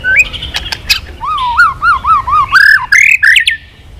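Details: White-rumped shama singing intensely while flicking its tail, in a long swiftlet-style string with shifting voices: clear whistled notes, then a run of wavy, undulating whistles repeated about four times a second, ending in higher rising phrases.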